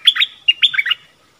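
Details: Stripe-throated bulbul singing as a caged decoy for wild birds, recorded 1 April 2021. Two quick gurgling phrases of rich, tumbling notes with a thin sustained whistle beneath, in a quiet background.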